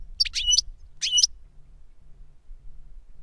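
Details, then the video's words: Two short, bright phrases of twittering, metallic notes, about a second apart, from a captive goldfinch singing reclamo song in a teaching session between an adult master and a novice bird. Silence follows. "Jilguero maestro cantando reclamo y enseñando a otro jilguero novel"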